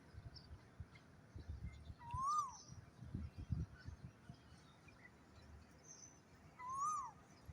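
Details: Asian koel singing in the morning, hidden in a tree's foliage, heard from a rooftop: two clear, upslurred notes about four and a half seconds apart, over low rumble and faint high bird notes.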